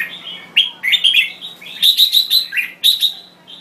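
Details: Thai-type red-whiskered bulbul, kept bird, sings bright, bubbling whistled phrases with quick slurred notes, repeated in short bursts about every second, over a faint steady hum.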